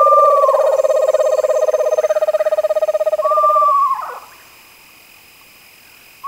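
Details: Screech owls: a long, even, low pulsed trill runs for nearly four seconds beneath higher whistled notes that slide downward, then a final descending quavering whinny fades into quiet.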